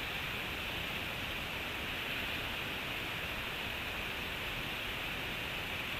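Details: Constant hiss like rushing water or wind covers the whole recording, and no animal call can be picked out.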